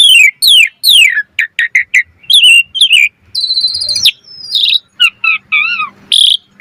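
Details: Asian pied starling in energetic full song, a varied run of loud descending whistles, short chirps, buzzy harmonic notes and warbled phrases in quick succession, used as a lure to make other starlings sing; clean, no other sounds.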